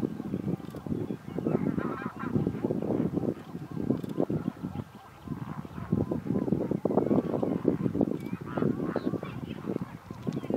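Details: A dense flock of American flamingos (Phoenicopterus ruber) at a lagoon fish farm on 19 April 2022 keeps up goose-like honking, with many nasal calls overlapping in a steady, unbroken chorus.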